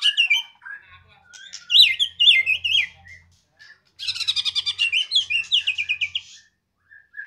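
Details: Medan-type white-rumped shama singing loudly and energetically: varied high warbled phrases, then a rapid run of sharp repeated notes over two seconds, ending in a thin whistle.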